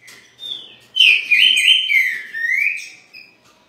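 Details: Green-winged saltator, new to its keeper and called weak, recorded in Rio de Janeiro; one sustained whistled phrase with quick warbling wobbles that falls then lifts, fading into silence.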